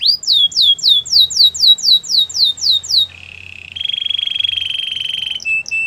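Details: Belgian canary singing a tour of about eleven clear downward-sweeping whistles, roughly three a second, then dropping into a soft low roll that swells into a steady, buzzy rolling trill.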